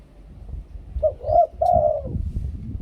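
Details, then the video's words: Spotted dove singing a two-kuk, ku-ang phrase: a short clipped coo, a rounded middle note, then a long level drawn-out coo, over steady low rumbling noise. "นกเขาใหญ่ 2 กุก คูอ่าง เสียงต่อชัดๆ"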